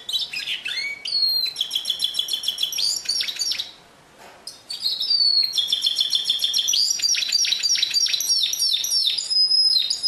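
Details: Canary in pure song, 2016: rapid trills and repeated chirps high in pitch, a brief pause near four seconds, then dense rolling tours with sliding whistles, no other sounds.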